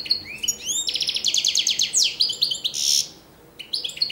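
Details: European goldfinch, recorded in 2013, sings a fast, tinkling medley of liquid twitters, rapid trills and buzzy notes, pausing briefly before another bright burst.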